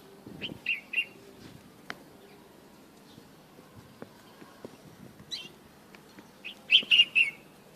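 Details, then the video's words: Bulbul singing outdoors outside its cage in the morning: short bright warbled whistle phrases with quick rising and falling notes, given in bursts separated by pauses, with faint clicks and low background rumble. "تغريد طائر البلبل بالطبيعة"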